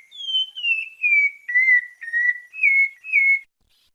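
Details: Clear whistled 'santa fé' song from a Bahia sabiá-parda thrush, Brazil: seven smooth fluting notes in sequence, starting high and easing downward, then two slightly higher closing phrases before silence.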